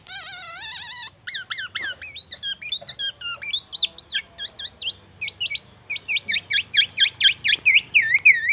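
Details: Black-naped oriole singing mimicry of murai batu and an ambulance siren: a drawn-out falling whistle, then hooked whistled notes that speed into a long series of loud, regular up-and-down chirps.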